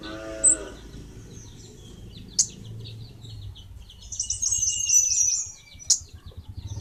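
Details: Kemade Bunga Api song: thin high twittering notes and a short buzzy high trill, broken by sharp clicks, against faint background noise.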